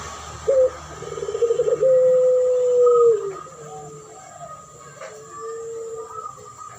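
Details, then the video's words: Spotted dove in a duet lure meant to attract birds: a short note, a quavering coo leading into a long level tone that dips at the end, then softer fainter coos trailing off. "Duet masteran pancingan burung puter pelung.model suara juara dan Derkuku"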